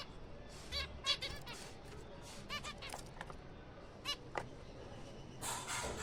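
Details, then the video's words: Captive Zebra finch breeding colony in April chatters as a busy group: nasal, buzzy, toy-trumpet notes in quick irregular overlapping bursts, over a low steady background hum. "finches birds zebrafinch birds colony"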